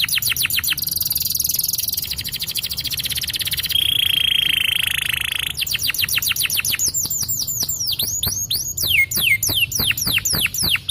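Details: Yellow champion canary performing a long song: a rapid high trill, a sustained rolling buzzy tour, then a fast trill again and finally sweeping whistled slurs.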